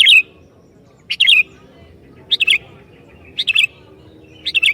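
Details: A persistently singing sooty-headed bulbul used to provoke other bulbuls. Five short, bubbly, tumbling phrases are repeated roughly once a second with a slightly uneven rhythm.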